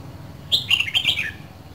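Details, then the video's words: A single quick phrase from a caged Red-whiskered bulbul from Dak Lak, Vietnam, two seasons old: four or five bright, slurred whistled notes running downward in under a second. "CHÀO MÀO LÂN DAK LAK 2 MÙA SIÊU BỘNG"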